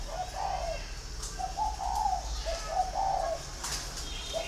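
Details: Green pigeon giving soft fluty whistles, a run of short wavering notes in quick succession, then a brief final note, with faint chirps of other birds behind.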